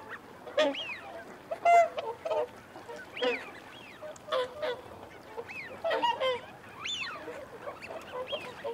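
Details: A whooper swan flock calls while feeding, with wigeon and mute swans nearby. Bugling honks come in short bursts between sharp, upswept whistles, and a steady murmur of many birds runs underneath.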